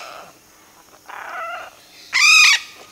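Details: Red-bellied macaw pair investigating a nest hole, recorded close up: a quiet grating note, then a harsh buzzy squawk and finally a loud, strongly harmonic screech lasting under half a second.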